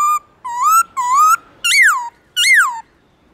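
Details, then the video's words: Morning "forest voice" song of a black-throated laughingthrush, long and clear: two gently rising whistles, then arched notes that climb and fall, five phrases in a clean, quiet setting. "Khướu bạc má HÓT GIỌNG RỪNG buổi sáng Âm Dài to rõ"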